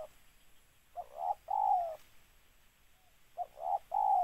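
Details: Spotted dove cooing: two phrases, each a short soft note followed by a longer, mellow coo that slides downward at the end, separated by a quiet pause of about one and a half seconds.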